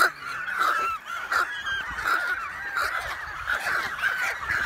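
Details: American white pelican and cormorant breeding colony, remote Canadian island, recorded June 23, 2018 with an iPhone 7+. Dense nasal honks and chatters from numerous birds run together without pause, rising and falling in loudness.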